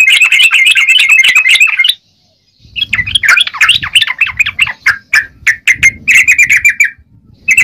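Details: Yellow-vented bulbul singing in lively gacor fashion: rapid, chattering bursts of bright, wavering chirps held near one mid-high pitch, a brief silence, then more jumbled chirps with sharp ticks and faint low rumbling.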